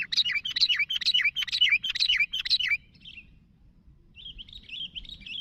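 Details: Lively sooty-headed bulbul calling out to companions with a dense, rhythmic string of bubbly, rolling notes repeated about twice a second for nearly three seconds, a pause, then a quieter, thinner twittering phrase over a low hum.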